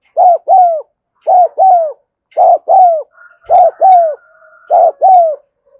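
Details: Loud, steady spotted dove 'thúc gù' cooing recorded in the afternoon: paired arched coos repeated about every second, with a thin sustained whistle and a brief low thump in the middle.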